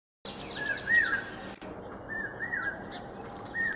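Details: Common hawk-cuckoo (Brainfever Bird, Hierococcyx varius) call: shrill whistled notes in a repeated, rising phrase, about one phrase every one to two seconds, with thin high chirps of other birds behind.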